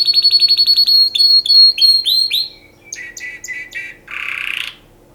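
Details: Canary singing for mating: a loud, clear run of rapid repeated whistled notes near one pitch, then rising upswept phrases, a burst of quick descending chirps and a final fast buzzy trill.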